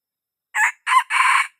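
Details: Red junglefowl, young, crowing to attract birds: two quick notes followed by a long harsh held note, with the next crow just beginning as it ends.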